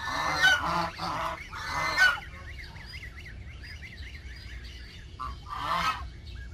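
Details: Geese living in a backyard give loud, rasping honks in quick pairs, then pause while a small bird twitters rapidly nearby, before another honk ends the sequence.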